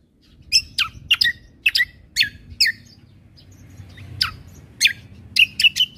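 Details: Cucak kombo, or greater green leafbird, a gacor bird with full tembakan fill for masteran training of caged songbirds. Loud, spaced downslurred whistles and sharp chips, two or three per second, over a soft low hum.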